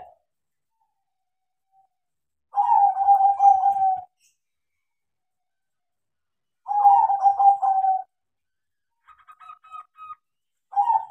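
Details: Crossbred zebra dove kept tame and taught to sing. Two separate vibrating coo phrases, each about a second and a half, are divided by several seconds of quiet. Soft faint notes follow, then another phrase begins.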